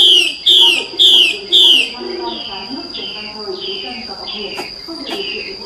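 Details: Wild female hwamei calling in forest during the breeding season to entice males to sing; strong, descending whistled notes repeated roughly twice a second, fading to softer notes, with a steady high tone behind.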